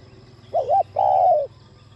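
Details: Single spotted dove phrase in the urging 'thúc' style used to excite other doves: a quick two-part coo followed by one sustained, smoothly falling low note.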